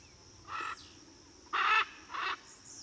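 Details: Three rough, nasal squawks from a Blue-and-yellow macaw, the middle one loudest, spaced roughly half a second to a second apart, over a continuous high insect-like whine and faint bird chirps.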